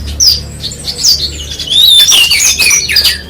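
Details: Loud, high branjangan bush lark song: clear whistled slurs, a long descending whistle and quick chips, with little background noise.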